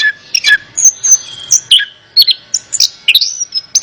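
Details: Orange-headed thrush song intended to make a lazy bird answer: high, thin whistles and scratchy chips in quick succession, including a long flat whistle and a few down-slurred notes.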